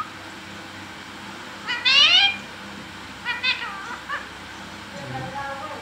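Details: Green parrot kept as a pet, vocalising in short bursts: one loud buzzy harmonic note, then a quicker double note and softer wavering sounds, with faint background noise.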